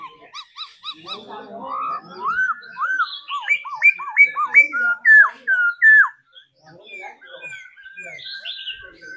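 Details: Caged laughingthrush in daily singing practice: a short burst of repeated clipped notes, then a rhythmic series of loud whistles, each with a hooked upward flick, trailing into softer phrases with faint background noise.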